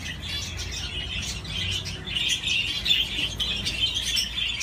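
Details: Pet budgerigar playing on a swing: a steady, scratchy high warble that grows louder toward the end, with quick chirps throughout.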